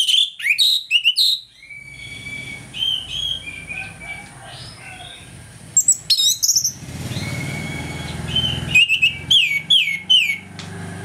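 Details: Morning 'ngeplong' song of an orange-headed thrush, played to provoke rival birds into agitation: repeated bursts of sweet, high whistles and rapid slurred trills, separated by softer warbling and a low background rumble.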